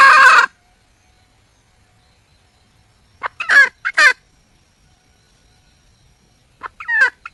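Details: Red junglefowl hen calling for a mate: a loud harsh burst at the start, silence, then a cluster of three rough squawks, and two more brief calls at the close.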